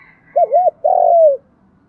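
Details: Spotted dove's calling coo, giọng đồng style: two mellow looped notes, then a sustained burry coo easing downward, over a faint low background rumble.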